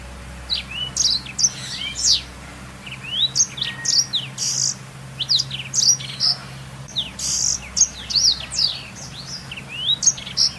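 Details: Black-throated canary delivering lively twittering song for training canaries: bright chirps and steep upward slurs grouped in rhythmic bursts roughly every half second, quiet hum underneath.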